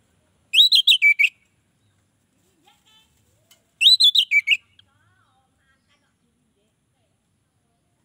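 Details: Orange-headed thrush song used to draw in other orange-headed thrushes: two short bursts of rich, high whistled phrases with quick slurred notes, separated by about three seconds of near silence.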